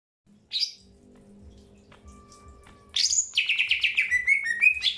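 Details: Greater green leafbird during early pairing: one short high note, a faint low hum and steady tone, then a rapid burst of chirps settling into a repeated descending twitter.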